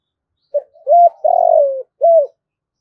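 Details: Spotted dove calling to lure wild birds to come and fight. One clear phrase: a faint lead-in note, a short coo, a long, gently falling coo and a final short coo.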